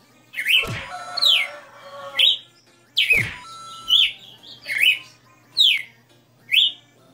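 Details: Captive red-cowled cardinal in a many-note singing show: bright slurred whistled phrases, some rising and some falling, delivered in quick bursts with a few sharp clicks and a low tonal hum in the background.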